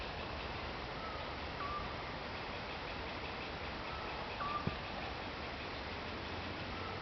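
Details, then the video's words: Eurasian scops owl in Croatia gives short whistled notes spaced about three seconds apart, the last slightly higher. A soft tap sounds midway through a hissy background. "Eurasian scops owl - Otus scops - Dwergooruil"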